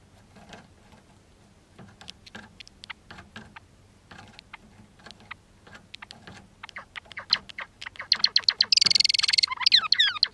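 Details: Java sparrow courtship pair: female on cage floor, male perched above singing; both give sharp bill clicks that speed up, then a brief burst of tinkling bell-like notes with quick falling slurs, before copulation.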